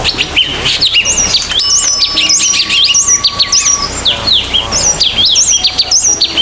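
Sultan tit giving loud, rapid, squeaky chattering notes, sharply rising and falling, repeated without pause; a faint steady hum underneath.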